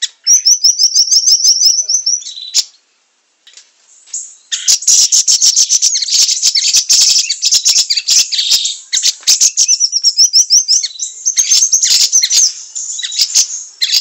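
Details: Training recording of a siri-siri singing: a brief rattling trill, a short silence, then a long, loud, dense chatter of very rapid high chirps, ending with more short trilled phrases.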